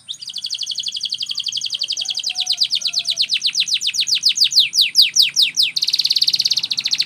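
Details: Canary training song: a long series of high, downward-sweeping notes repeated about two and a half times a second, growing louder, then a dense buzzy roll at the end; faint low hum beneath.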